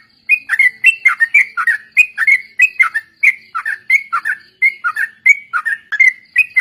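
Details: Sooty-headed bulbul singing as a pancingan training lure for other birds, ombyokan and ropel style; fast chattering run of short whistled notes that swoop down then up, repeated about twice a second without break.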